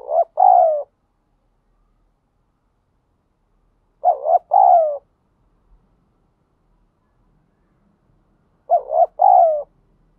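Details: Spotted dove in the wild giving 'thúc gù' coos: three evenly spaced phrases roughly four seconds apart, each a short wavering note and then a longer, rich, slightly descending coo.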